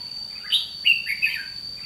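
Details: Red-whiskered bulbul, a decoy bird used in trapping, singing a challenge: short warbled phrases of bright, slurred notes around mid-high pitch, with a steady high-pitched hum running through the background.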